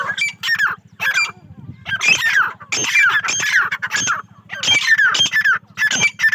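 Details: Harsh, grating squawks from a female grey francolin on a farm in Pakistan, delivered in uneven clusters with short pauses, over a steady background hum.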